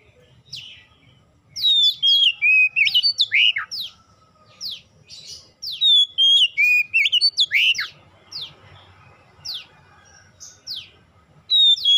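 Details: Lure song of an oriental magpie-robin, meant to prompt untrained birds to sing: bursts of rich whistled phrases mixing steady tones, rolling slurs and quick falling strokes, a brief pause with faint hiss, then fresh high notes resuming.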